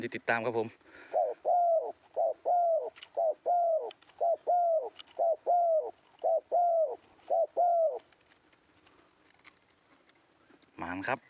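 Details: Cooing of a spotted dove used as a decoy in Thailand to lure a wild bird: a run of about a dozen soft, even, low coos in quick succession, framed by brief loud knocks or handling noise at the start and end.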